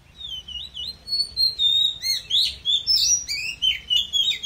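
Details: Forest-style song of an Oriental magpie-robin, played to rouse listless birds: a thin high whistle followed by quick varied slurred notes and sweeps over faint low background hum.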